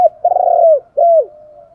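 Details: Spotted dove decoy call, male and female voices, used to stimulate birds in training; two hoarse low coos, the first long and buzzy, the second shorter and falling, over a thin steady tone.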